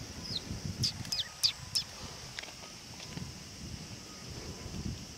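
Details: Sparrows arriving to be fed at a Tenmangu shrine, 18 August 2020; a quick burst of bright, high chirps in the first two seconds, then quieter, with low rumbling background noise.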